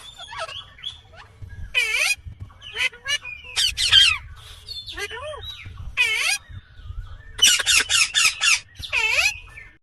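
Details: Indian green ringneck parakeet calling naturally with harsh, high squawks in rapid runs, some notes sweeping downward, given in uneven bursts with short gaps between them.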